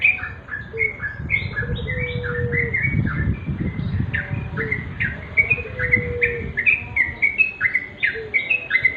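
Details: Sooty-headed bulbul pouring out quick, repeated whistled chirps over low rumbling background noise, with an occasional quieter drawn-out whistle from another bird.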